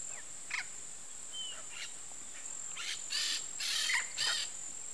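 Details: Courting pair of Peach-fronted Parakeets in Parque das Nações Indígenas, Campo Grande, Mato Grosso do Sul, giving short harsh raspy bursts, scattered early then clustered in a louder run of four near the end, over a steady high insect whine.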